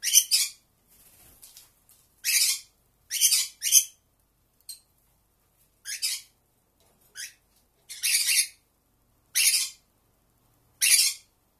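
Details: Single pet Pearly conure indoors giving contact calls: harsh, noisy squawks of about half a second, some paired, repeated roughly every one to two seconds with short quiet gaps.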